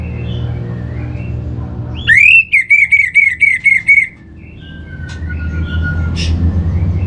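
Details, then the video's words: A lure recording from Singaraja, North Bali, meant to make pet birds sing: an Orange-headed thrush gives a loud, sudden rising whistle, then six evenly repeated wavering notes over two seconds, with a low hum and a soft distant whistle afterwards. "Trbaik Buat Pancingan Burung ANIS MERAH Agar Gacor"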